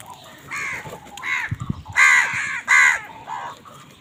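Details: Crows contesting food: repeated harsh caws about every half second, building to two loud ones, with a few low thumps midway.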